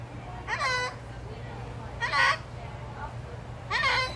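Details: A cockatoo at Dallas Zoo on 11 August 2021 repeats a harsh, speech-like 'hello' three times, about a second and a half apart, over a steady low hum.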